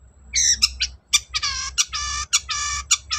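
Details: Long-tailed shrike, used as a lure to get idle birds answering: harsh, buzzy, rasping notes repeated in quick bursts, some drawn out, with a few sharp clicks between them.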